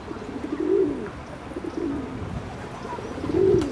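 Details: Ring-necked duck giving low, hollow, arched notes, three clear calls in under four seconds, the first and last loudest, with constant low rumble behind.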